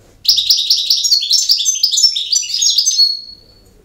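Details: Unbroken three-second burst of campero song from a European goldfinch: a steady stream of sparkling chirps and twittered trills closing on a thin, high whistled note.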